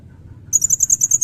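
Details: Serindit, a Blue-crowned hanging parrot with a red breast, giving thin, piercing high notes repeated quickly, roughly ten clear beats in under a second, over faint low background hum.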